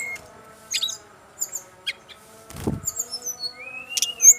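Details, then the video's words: Male brown-chested jungle flycatcher from Bali giving scattered high chips and a long rising whistle. There is a dull thump midway and a steady background hum. "SRDC laen langsung nyaut denger suara burung SIKATAN RIMBA INi"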